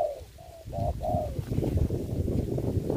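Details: Spotted dove used as a ground decoy in trapping during the Covid-19 season gives a short run of soft, hollow coos. The coos end with a longer drawn note, after which low rumbling and handling noise take over.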